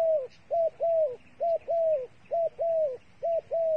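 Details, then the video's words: Loud, close coos of a bait dove, short note then long falling note in each pair, four pairs evenly spaced under a second apart, otherwise quiet. "The five videos of the dove bait are really good to wa"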